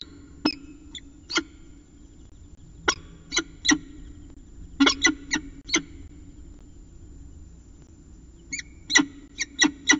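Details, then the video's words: Peregrine falcon at CSU Orange, chatting in the early morning at 05:29 on 25 December 2019; short harsh, clipped notes given singly and in quick clusters of three or four, separated by pauses, over a steady low electrical hum. "Peregrine Falcon ~ Early Morning Chat"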